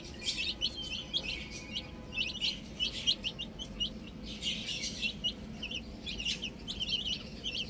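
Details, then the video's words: Several small chicks chirp steadily while playing with a ball. Their thin, high peeps fall slightly in pitch and come in quick overlapping clusters throughout. "Cute Little Chicks Chirping Sounds"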